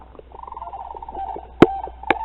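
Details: Two sandhill cranes passing in flight: a sustained, vibrating rattle that holds steady and then tails off, broken by two sharp, loud clicks near the end.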